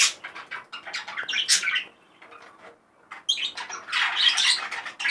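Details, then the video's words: Very excited male budgerigar chattering in harsh, buzzy bursts and squeaks, a near-silent gap around two to three seconds, then a loud, dense chattering run to the end. "دكر بادجي جد هائج"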